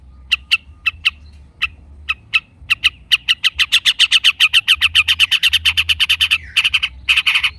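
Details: Long-tailed shrike song, meant to draw other shrikes into replying: sharp clicks that speed up into a fast even rattle of chipping notes, ending in a harsh buzz.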